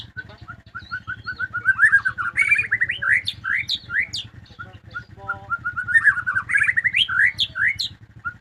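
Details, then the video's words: Domestic white-rumped shama in full, lively song, delivering fast, sweet whistles, rising slurs and sharp high notes in long flowing runs over a steady low hum. "suara merdu burung muray batu rumahan"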